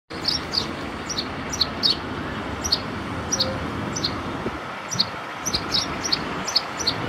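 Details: A sparrow in Nepal gives short, bright chirps in quick irregular bursts, several each second at times, over a steady rumble of traffic.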